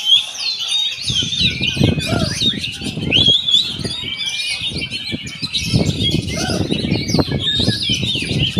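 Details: Oriental magpie-robin singing a dense stream of varied whistled phrases, rapid rising and falling notes and sharp chirps that overlap continuously, with heavy low thumping and rustling underneath throughout.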